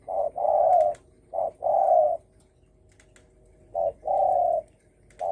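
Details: Spotted dove giving thổ sấm style coos to provoke other birds. Two short-then-long coo pairs, a silent gap, then another pair and a final clipped note. The coos are low, hollow and even.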